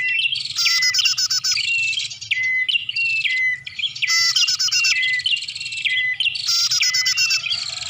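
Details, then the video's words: Lure recording of bar-winged prinia for drawing birds in: continuous loud, high chattering with fast buzzy trills, rapid clicks and short dropping whistled notes, the pattern recurring about every two seconds. "Suara Pikat Burung Prenjak"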